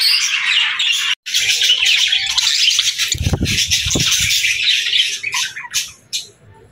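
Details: Cheerful budgerigars in the morning: rapid high chirping and chatter, broken by a brief silence and some low thumps like wing flapping, then fading into scattered chirps toward the end.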